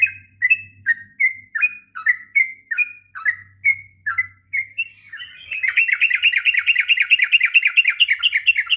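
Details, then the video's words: Sooty-headed bulbul ngropel song for training young birds: spaced bubbly whistles for five seconds, then a sudden dense, fast chattering burst of higher notes, with a faint low hum early on. "kicauan trucuk ngropel panjang...cocok untuk masteran trucukan bahan.."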